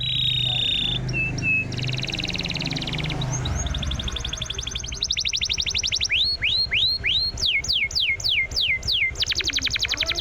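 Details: Canary song used to coax a silent canary back into singing: fast high trills, then a run of bright downward-sweeping whistles repeated several times a second, over a steady background hiss and low rumble.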